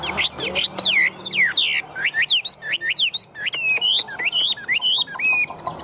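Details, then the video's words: Caged Chinese hwamei, a tame large-bodied bird for competition singing, in Vietnam; loud, rich whistled song of steep rising and falling slurs delivered in rapid varied phrases. "Họa mi thuần đét, Bộ to - Đấu hót rất tốt"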